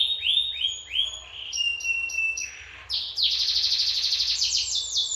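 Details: Canary from Lampung, Indonesia, singing actively: a run of four curved, swooping whistled notes, then a pulsed high steady tone, then a loud, dense, buzzy rapid trill sustained to the end, over a faint low hum.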